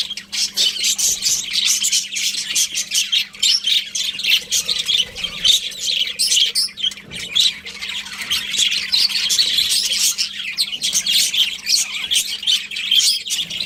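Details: A flock of budgies keeps up a long, unbroken stream of scratchy chirps, squawks and warbles, loud and overlapping throughout, over a faint low hum.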